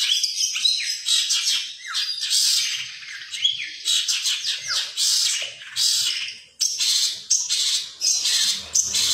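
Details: Caged long-tailed shrike singing competition material, 2020, mimicking songbirds such as sparrows, canaries and lovebirds; rapid scratchy twitters and chirps pour out in loud bursts, with brief pauses and swept notes.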